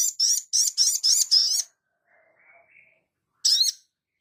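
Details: Crimson sunbird singing; a quick run of five high, bright chirps in close succession, a pause with faint soft notes, then one more shrill chirp.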